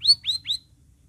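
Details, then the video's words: A sooty-headed bulbul gives three quick, clear whistled notes, each sliding upward, in under a second, then falls silent against a faint low hum. "KICAU CUCAK RAWIS COCOK UNTUK PANCINGAN BURUNGMU YANG MANDEK"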